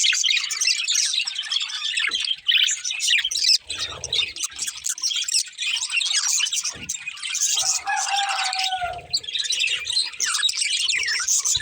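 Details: Chirping and singing colourful budgies, a breeding pair. Busy twittering warble of rapid high chirps runs throughout, broken by brief dips near two and a half and three and a half seconds, with a clearer whistled note around eight seconds.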